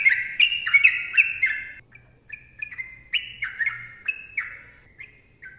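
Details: Sooty-headed bulbul in dense ropel song for training: a quick run of falling whistles, a short softer stretch, then a renewed series of clear, slurred notes fading toward the end.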